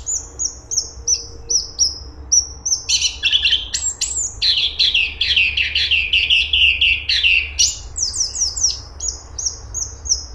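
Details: Cungkok, or straw-headed bulbul, singing: high downslurred whistles repeated about every half second, breaking into a long run of fast, lower scratchy chatter before the whistle series returns.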